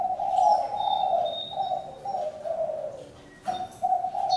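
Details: Spotted dove calling in Vietnam, low hoarse coos around the same pitch flowing almost without a break, dipping briefly near the end; faint thin whistled notes from another bird sound higher above.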